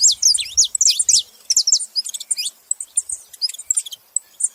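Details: Saffron finches chattering together, rapid high downslurred chirps crowded at first, then sparser sharp tweets and short rattles, in an otherwise clean background.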